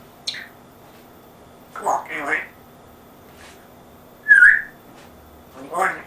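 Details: Pet African grey parrot with an English accent, indoors, mimicking speech: short voiced word-like bursts, a clear rising-falling whistle midway, and a final speech-like phrase between quiet pauses.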